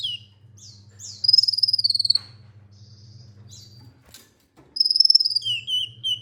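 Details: Olive-backed sunbird singing two fast, buzzy high trills separated by a pause, with scattered short chirps between them, a brief click and a constant low hum in the background.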